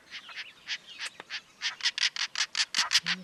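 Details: Lilac-breasted roller; call; marking territory or communicating with its partner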